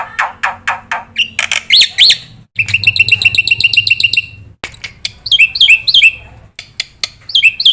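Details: Masteran training recording of a Black-winged myna for young caged birds: harsh scratchy notes, twisting whistles, a rapid run of ringing repeated notes, then swooping slurred whistles.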